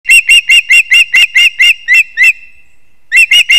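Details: Osprey chicks at a nest built in a leaning old pine, Kurzeme, Latvia, 20 September 2024, as the father brings almost the last fish; loud, clipped whistled chirps repeated about five per second, a brief pause, then the series resumes.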